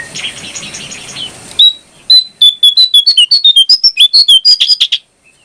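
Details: Brown prinia song used as a training track to stir other birds into singing: a rapid series of sharp, high chirping notes, about two per second, rising slightly in pitch, with a brief burst of background noise before it.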